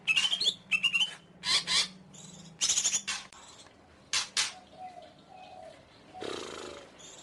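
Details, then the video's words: Greater green leafbird singing: bright whistled notes that rise and wobble, mixed with harsh raspy bursts and broad chattering phrases, then a longer buzzy rasp near the end; a low steady hum runs underneath. "Suara Burung Cucak Ijo"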